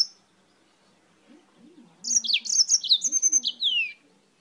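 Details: Energetic song of a yellow-fronted canary from Spain: after a brief quiet, a two-second run of rapid high chirps and descending whistled slurs, ending in a long downward sweep.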